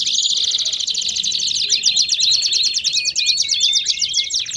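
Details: Canary song for stimulating other canaries to sing: fast unbroken high trilling with overlapping descending whistles and rolling phrases, over a faint low hum.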